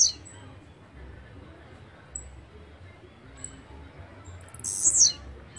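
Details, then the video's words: Blue-black grassquit, locally called chirrio, pirra, tiziu or volantina, singing: a very high, buzzy burst lasting about half a second that slurs downward, near the end, after a clipped note at the start, over a faint low hum. "CHIRRIO, PIRRA, TIZIU o VOLANTINA Y SU GRAN CANTO"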